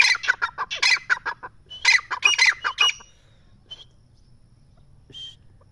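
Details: Spirited partridge (teetar) giving a rapid run of harsh, squawking notes in two quick bursts, then falling quiet apart from a faint thin note near the end.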